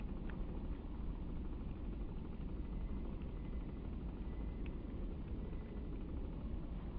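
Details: Continuous low traffic rumble outdoors with dense broadband noise and a few faint clicks, without any animal call.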